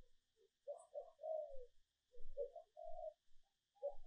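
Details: Female dove calling to lure males, in an edited recording for decoy training: low mellow coos run on, heard more distantly over a steady hum and occasional low thumps.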